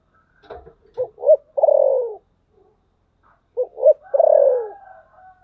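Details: Spotted dove calling in thổ sấm style, two phrases each of two short hoots and a long sinking coo, about two and a half seconds apart, with faint soft noises before the first.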